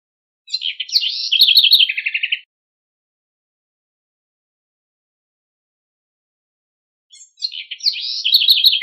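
A house wren gives two bubbling, rapid songs of trills and warbles that drop in pitch toward the end, separated by about five seconds of silence.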